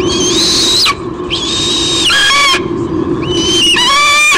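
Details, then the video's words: Female white-bellied sea eagle on a nest camera at Sydney Olympic Park, Australia, 23 June 2016, squealing as the male brings a fish: three long, high, tonal squeals with harmonics, slurred and wavering, over a steady electrical hum. "Dad bring's a fish, Mom squeals"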